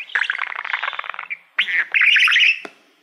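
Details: Pet male budgie warbling at a shiny silver plaque he treats like a mirror: a rapid run of clicking, ticking chatter, then louder squeaky, rising and falling warbled phrases ending with a sharp click.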